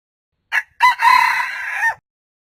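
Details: Red junglefowl giving one crow. A quick introductory burst leads into a sustained, buzzy, richly harmonic note lasting roughly a second before stopping suddenly, with silence before and after.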